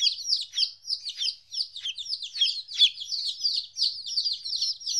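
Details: Domestic chicks, 14 days old, newly separated from their mother for the first time, give a dense stream of high, shrill peeps. Short falling chirps from several birds overlap continuously, several per second, in a quiet setting.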